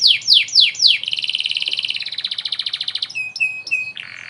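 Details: Master song of a canary, cengkok unik style for teaching young birds: four falling whistles give way to a fast pulsed rattle that slows, ending with short clear whistled notes.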